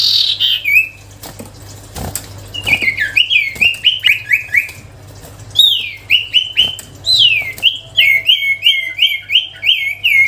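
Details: Sirtu songbird singing melodiously: clusters of quick, hooked whistled notes delivered in rapid runs, repeated several times with brief gaps, plus faint higher twittering.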